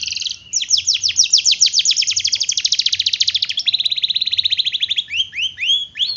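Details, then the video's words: Canary master song with a long roll, kenari roll panjang: rapid evenly repeated downslurred notes forming a sustained trill, shifting to a lower buzzy trill, then closing with looser whistled phrases. "Masteran Kenari Gacor, Pancingan Kenari Gacor Sulit Bunyi"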